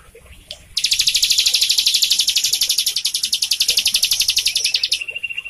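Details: Bar-winged Prinia in full song, played to coax a captive bird that has stopped singing: after a quiet start, a fast high rattling trill of sharp notes, about four a second, runs unbroken for over four seconds before ending on a thinner tone.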